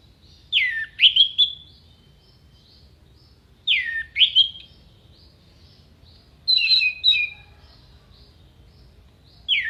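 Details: Orange-headed thrush giving contest-style song: phrases of swooping, slurred whistles, each dipping and then rising into bright notes, repeated roughly every three seconds against a soft low rumble.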